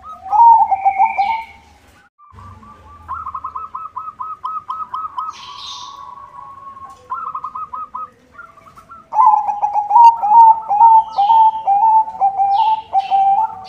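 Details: Captive white zebra dove (perkutut putih) singing in a good rhythm, used to lure other zebra doves: a loud rolling coo with quick stuttered notes, then soft rapid repeated cooing notes, and a strong rippling trill at the end; chirps from other birds.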